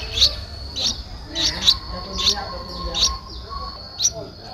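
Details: Streak-eared Bulbul nestling, 11 days old, in Ubon Ratchathani, Thailand, on 13 April 2023. It gives thin, high chirps roughly every half second to second, over a steady low hum and background noise.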